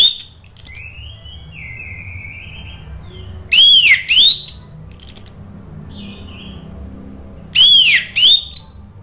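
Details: Orange-headed thrush in full, loud gacor ngeplong style of song, used as a lure to get other birds singing: two bursts of rich whistled phrases with looping, up-and-down notes, separated by a few seconds of softer thin whistles and quiet hum.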